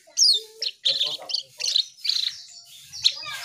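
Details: Actively singing Asian pied starling giving loud, scratchy, buzzy bursts separated by short pauses, with one brief low whistle near the start and a sharp squeak toward the end.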